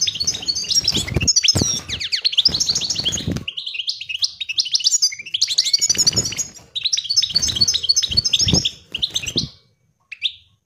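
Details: European goldfinch singing a lively, rapid twittering song of tinkling, liquid high notes and trills in dense bursts, broken by brief pauses, with intermittent low thumping clicks beneath and a short final note after near silence.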